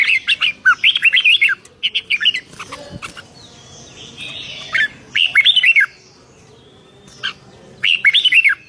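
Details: Red-whiskered bulbul singing lively and energetically in 2023: bright, warbled phrases of quick up-and-down whistled notes, sung in bursts of about a second separated by short pauses, with faint background rustle and a soft hum between phrases.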